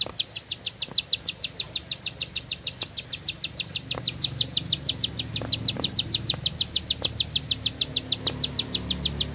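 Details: Bar-winged prinia delivering one long-breathed song of sharp, high notes. Around sixty in steady rapid succession without a pause, with soft low rumbling and occasional clicks underneath.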